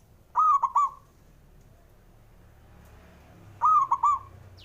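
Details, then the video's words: Two crisp, ringing three-syllable coos from a male zebra dove, about 3.2 seconds apart, a call used to get lazy doves to sing. The gap between them is quiet apart from a low rumble. "JENIS SUARANYA🔊 PALING BANYAK DI CARI UNTUK PENDOBRAK PERKUTUT MALAS BUNYI"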